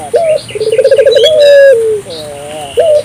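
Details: Energetic African collared dove call used to spur local doves to call: a brief high note, a quickening throbbing trill flowing into a long smooth coo that drops at the end, then a wavering tail and another note.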